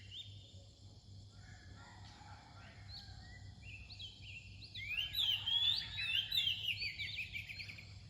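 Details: Oriental magpie-robin singing near dawn: varied whistled phrases, faint and scattered at first, then louder and richer from about five seconds with quick rising and falling notes, over a steady low hum.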